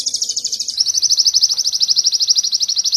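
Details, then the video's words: Canary song from a bird-training recording: high, rapid trill of evenly repeated notes, about eight per second, shifting to a slightly lower trill partway through and running steadily to the end, with no other clear sounds. "Masteran sogon kekinian materi kenari"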